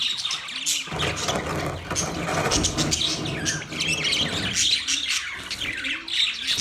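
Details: Budgies on November 19, 2023, keep chirping in high, busy chatter. A loud, broad rushing noise swamps the middle section before the calls stand out clearly again.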